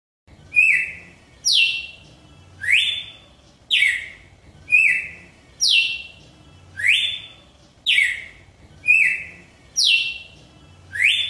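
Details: Red-cowled cardinal (Paroaria dominicana), song.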